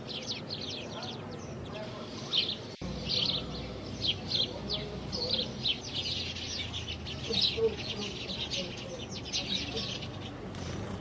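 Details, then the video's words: House sparrow in India, recorded on a Canon 200D Mark II camera, giving bright, rapid chirps in a steady stream over a low, constant background rumble, with one sharp click near the start. "House sparrow Birds"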